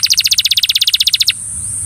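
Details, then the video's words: Belgian canary singing to coax another canary into song, a fast, even trill of high buzzy notes repeated about fifteen times a second for just over a second, then quiet. "Canary bird coaxes friend to sing! Belgian Canary"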